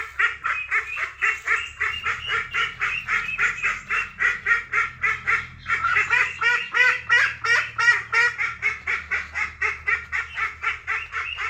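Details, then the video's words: Ducks quacking in a rapid, steady run of harsh, nasal calls, roughly three or four per second, each rasping burst much like the last, with a low hum beneath throughout. "Funny Duck Sounds: Quack Quack Moments"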